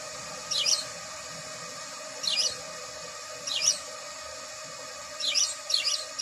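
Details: Chirping house sparrow: brief, bright descending notes, each slipping quickly downward, given singly at irregular gaps of one to two seconds, with a pair near the end, over constant hiss and faint hum.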